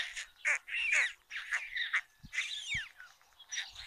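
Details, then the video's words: First morning feeding at a white stork nest built on a chimney in Ságvár, Hungary, 22 May 2022, near meadows and wetlands; rapid, rasping calls rising and falling, crowded together, with a few soft low knocks. "White Storks | First feeding of the day"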